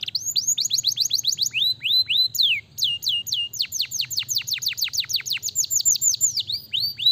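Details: Singing canary delivering rapid series of downward-sweeping whistled notes, grouped into quick tours that change speed and pitch, with a faint low rumble underneath.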